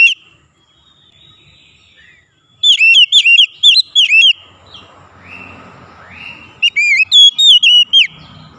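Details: White-rumped shama, locally called kacer, delivering rapid bursts of bright whistled notes that rise and twist, repeated in two phrases with a quiet gap of soft background rumble between them.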